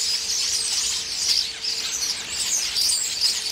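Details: Common starlings squabbling while pecking pears in a tree; overlapping high squeals and buzzy whistles swell and dip, over a faint steady low hum.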